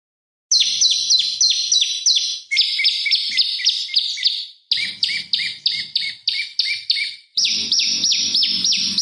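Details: Olive-backed tailorbird in full song, used as a lure and master song for training oriental magpie-robins; rapid runs of sharp, downslurred high chips, about three per second, shifting pitch between phrases, with brief gaps between bursts.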